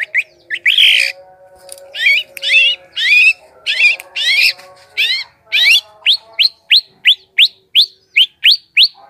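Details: Lure recording of long-tailed shrike singing to draw in wild birds: harsh broad notes at first, then clear rising whistled upslurs repeated about twice per second in a steady run.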